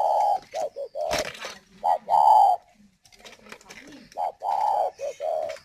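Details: Spotted dove kept as a decoy bird in Ba Vì, Vietnam, cooing vigorously while moulting: deep drawn-out and clipped coos in broken phrases, with a sharp knock and a human voice.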